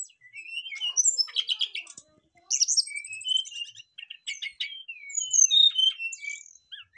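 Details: Brown-chested jungle flycatcher songs answering each other, a rapid mix of clear whistled notes and buzzy trills mostly high-pitched, varied phrases broken by short pauses, with sweeping slurs and chattering bursts.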